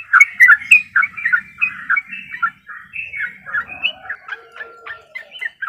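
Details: Cut-throat babbler in energetic song: a rapid run of varied chattering and whistled notes, buzzy squeaks mixed with short clear tones, delivered almost continuously over several seconds.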